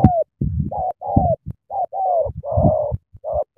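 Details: Spotted dove from Cà Mau, Vietnam, cooing eagerly in the sắm thổ style: short mid-pitched coo notes in uneven bursts, some slightly falling, broken by gaps, over heavy low thumping and scraping noise.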